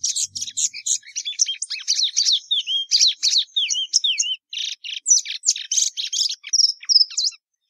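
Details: Patativa verdadeira, the plumbeous seedeater, in a long energetic song mixing quick twitters, looping slurred whistles and buzzy fragments, with brief pauses near the middle and a faint low knock at the start.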